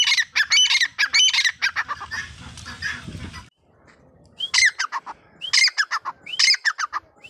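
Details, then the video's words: Male and female grey francolin calling: rapid harsh notes, then a burst of rough broadband noise, a short lull, and three phrases that each open with a rising whistled slide followed by grating syllables. "نر تیتر مادہ تیتر بھورا جنگلی اور دکنی تیتر وائیس"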